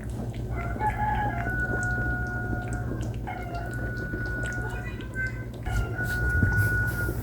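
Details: Rooster crowing three times in a row, each a long, strained, wavering cry, over a steady low hum and some speech, heard in a kitchen around New Year.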